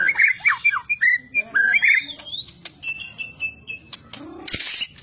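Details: White-rumped shama of the fighter type, known for distinct fighting styles, delivering a fast run of loud fluty whistles and slurred notes, then softer varied phrases, ending with a brief harsh hissing burst.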